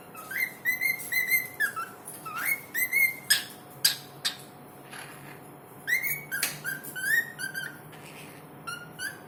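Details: Talking bird producing repeated whistled phrases, steady flat tones followed by buzzy, harmonic-rich bursts and short upward slurs, in groups separated by brief gaps over a constant background hum and room noise.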